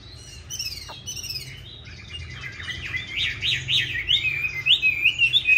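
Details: Competition song of a green-bean-eye Chinese hwamei, used to train other hwamei to sing smoothly: a few faint slurred notes, then a fast, loud zigzag trill of rising and falling whistles that grows louder toward the end.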